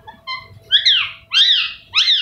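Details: Pet green ringneck parrot indoors giving three harsh, screechy rising-and-falling calls in close succession, preceded by softer, faint tonal notes, with a faint steady hum in the room.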